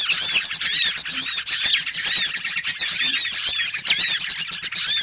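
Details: Birds used as a trapping lure: an unbroken, noisy mass of high twitters, ticks and looping slurred whistles, many callers overlapping with a loose, jittery rhythm.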